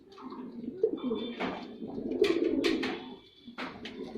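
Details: Indoor cooing of a performing male white pigeon, low throaty rolls interrupted by several sharp clattering knocks and rustles.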